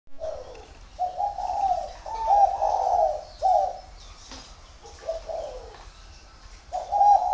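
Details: Spotted dove at a dove-keeping garden in Ba Vì, near Hanoi, northern Vietnam, giving mellow, hollow coos in short phrases. Each note swells and fades, with brief pauses between groups, over a quiet background.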